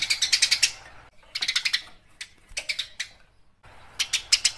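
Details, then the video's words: Fighting house sparrow: loud bursts of rapid, grating chirps, four clusters broken by short silences, each run rattling off quickly. "Suara burung gereja gacor tarung"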